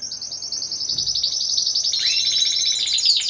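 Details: Timbrado Español canaries of a four-bird competition team, November 2015: a fast, even high trill of repeated notes, shifting into lower, descending rolled notes near the end.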